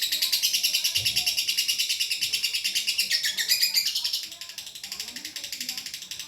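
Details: Long-duration lovebird training song: a fast, buzzy, pulsing high chatter that runs unbroken and softens slightly after four seconds.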